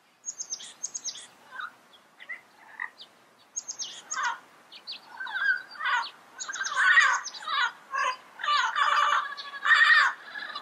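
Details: Yellow-headed amazon producing a run of harsh, raspy squawks and chattering notes that grow louder and more frequent, with high thin chirps between them.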